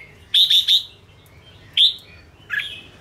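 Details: Red-whiskered bulbul song for training and provoking caged bulbuls: three loud, ringing whistled notes in quick succession, a single bright whistle, then a softer slurred phrase.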